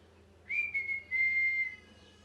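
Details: Pet parrot, molting and missing feathers, kept indoors, giving a loud angry call: one clear, steady whistled note held for over a second, with a brief break partway through, over a faint low hum.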